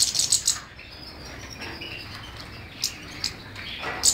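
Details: Singing European goldfinch: a busy burst of high twittering chirps at the start, then quieter soft notes and a final bright twitter.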